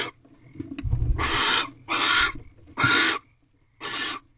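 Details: A male barn owl arrives at a nest box at 12:11 am in March, during egg laying, to deliver a rabbit to his mate. Four loud, rasping screeches follow a low thump, each lasting about half a second.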